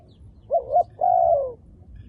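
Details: Wild dove with dark plumage cooing: two short low hooted notes followed by a longer, smooth coo that slowly falls in pitch at its end. Quiet background with faint low rumble.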